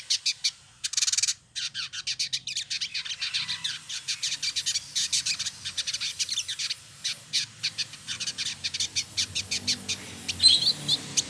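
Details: Male village indigobird (trotol), Bandung, West Java, Indonesia, singing at length: a long run of dry, rapid ticking and buzzy notes in uneven bursts, loudest early and thinning toward the end.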